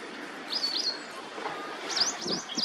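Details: White-browed wagtail giving short, sharp, high chirps: a pair of notes early on, then three quick rising-falling notes near the end, with steady background hiss.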